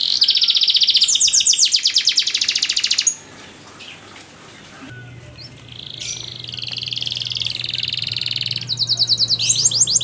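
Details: Canary master song for tutoring young canaries: a dense, rapid trill stops abruptly into a quiet pause with a low hum, then high buzzy trills and whistles resume.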